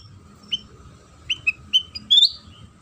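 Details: Sooty-headed bulbul singing as a lure for other bulbuls: scattered single whistled chirps that grow louder, ending in a loud slurred, rising flourish; faint hum behind.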